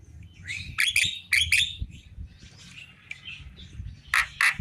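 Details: Javan myna song in the afternoon: harsh, buzzy chattering notes in short clusters, a quieter scratchy stretch, then loud rasping squawks at the end.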